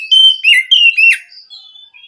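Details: Song of a wild Oriental magpie-robin from the forest, used to stir a silent captive bird. Four clear whistled phrases in quick succession, some sliding down, then soft high notes trailing off.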